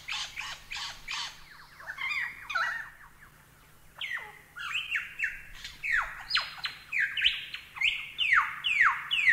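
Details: Lyrebird song as tutor material for cage birds: dense bursts of sharp, descending whistled notes and rattling chips, a brief lull midway, then a rapid and increasingly loud series of downslurred phrases.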